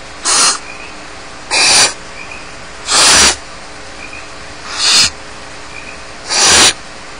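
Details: Five strong, breathy hissing bursts from barn owl chicks alone in the nest at Starr Ranch, begging about every one and a half seconds.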